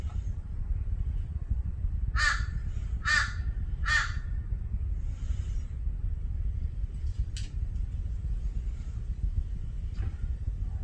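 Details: Torresian crow giving three harsh, nasal caws in quick succession, under a steady low background rumble.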